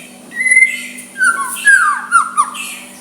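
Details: White-rumped shama in soft song to stir a rival to answer; drawn-out whistles, one long level note then descending slurs, short loud bursts near the end, faint hum underneath.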